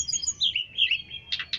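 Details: Striated grassbird, locally called tledekan, singing: a quick run of varied high chirps and slurred whistles ending in a few loud, rough notes, over a faint low background.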